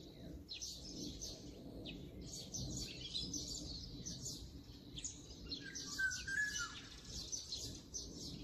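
Brown-eared bulbuls give a dense run of shrill, scratchy high chatter, and one clear slurred whistle rises and falls near the end over low rumbling background noise.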